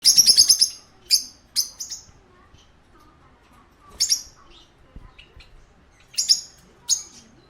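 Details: Parakeet at a pet shop giving high, bright chirps in short bursts: a rapid run of notes at the start, then scattered single and double chirps separated by quiet gaps.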